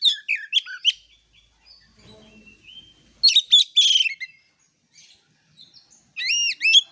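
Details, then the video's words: Oriental magpie-robin (kacer) used as bait and a master recording for birds whose voices are not yet loud: quick chirps and whistles, a quiet stretch with faint low murmur, then a loud rattling burst and ringing, arched whistled notes. "pancingan kacer/ masteran kacer, yang suaranya belum ngepplong"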